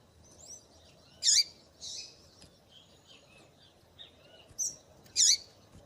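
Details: Female double-collared seedeater calling to stimulate and excite males. Two loud, sharp, high chirps stand out near the start and end, with a few softer high chips between them over a quiet background.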